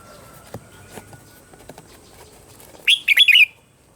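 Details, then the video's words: Red-whiskered bulbul morning song, played as a lure to train other bulbuls' voices: one brief, bright warbled phrase of quick rising and falling notes near the end, after a near-silent stretch with faint ticks. "Luyện giọng cho chào mào hót sáng"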